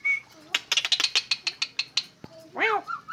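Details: Asian pied starling imitating a cough: a rapid series of about a dozen sharp, dry, cough-like bursts, then a rising and falling rasping note and two short whistled phrases.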